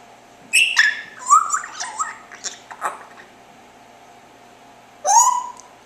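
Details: Pet parrot in the afternoon, chirping indoors: a run of bright, quick chirps and whistled notes, some sliding down in pitch, then a pause and one more rising-falling chirp; a woman speaks nearby.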